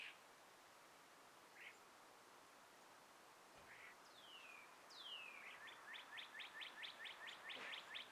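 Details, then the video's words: Morning sunrise birds in trees with a gentle breeze: scattered single chirps, two high whistles gliding down in pitch, then a quick, steady string of clipped chirps. "birds chirping"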